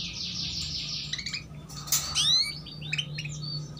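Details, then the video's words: A female canary's 'cuit cuit' chirping, used to prompt juvenile canaries to sing: a buzzy slanted trill opens, then a sharp click and a long upward-sweeping whistle with scattered short tweets afterwards, over low background hum. "PANCINGAN Kenari BETINA Cuit Cuit || Masteran Kenari Paud Agar Cepat Bunyi"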